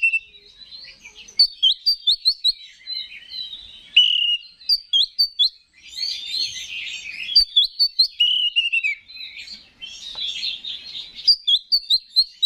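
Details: Oriental magpie-robin, a contest songbird, singing as bait to excite other males: long varied song of rapid chirp series and warbled phrases, broken by short pauses, in quiet surroundings.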